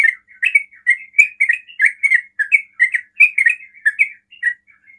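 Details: Yellow-vented bulbul in quick ropel song aimed at drawing answers from other bulbuls: chattering liquid chirps in irregular doublets and triplets, bright and rapid, ending with softer notes.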